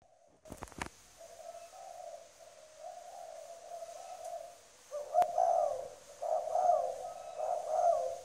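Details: Spotted dove kept as a trained decoy bird in Trà Vinh, Vietnam, giving strong cooing: a low, steady hum of coos, then louder, emphatic coo phrases in the second half, with a few sharp clicks near the start.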